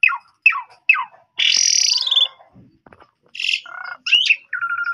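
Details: Asian pied starling song played to prompt untrained young starlings to answer: descending whistled slurs, then a harsh buzzy burst, a low grating note, chattering squawks and a thin repeated trill, separated by short pauses.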